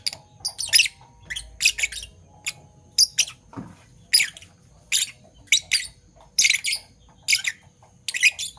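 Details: Morning calls of two Fischer's lovebirds, Parblue Violet and Parblue Turquoise: regular scratchy chirps repeated roughly every half second, with a brief low thump midway.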